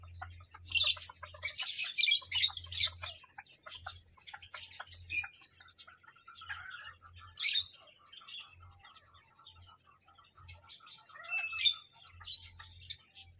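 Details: Parrot giving harsh, broadband screeches in quick bursts early on, then softer chirps and a thin level whistled note, against a low pulsing hum and other small chirping birds.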